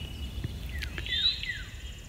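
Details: Northern Cardinal at sunrise in south-central Indiana beside a full-running creek after a cold night, giving a few clear, downslurred whistles in quick succession, fairly faint over a low outdoor rumble.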